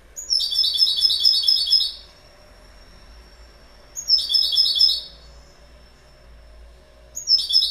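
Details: A goldfinch sings three bursts of rapid, jangling twitters, each under two seconds long. Quiet gaps of about two seconds separate them, and a thin high note trails between phrases.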